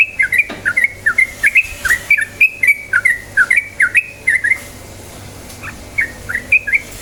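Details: Yellow-vented bulbul song used as a lure to get other bulbuls singing: a lively run of short, bubbly, liquid notes that rise and fall, delivered in quick clusters for about four seconds, then a few scattered phrases after a pause.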